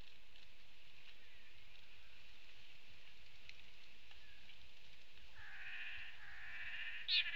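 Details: At a Lance-tailed Manakin display perch on Isla Boca Brava, Chiriquí, Panamá, on 9 April 2018, two nasal, buzzy calls about a second long come near the end, over a steady hiss of rain or insects.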